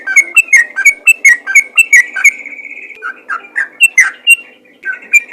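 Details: Sooty-headed bulbul calling rapidly in fighter style to prompt other bulbuls to answer: a quick series of bright slurred notes, then lower, softer burbles and a few more sharp notes.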